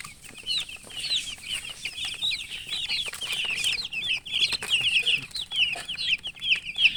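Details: Freshly hatched domestic chicks cheep in a crowded, continuous chorus; shrill, quick peeps pile on top of one another and grow louder toward the end, with faint rustling.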